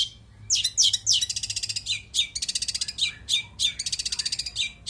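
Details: Long-tailed shrike in full, varied fill-style song: harsh chattering notes and rapid high rattling trills in short bursts, several each second, over a low steady hum.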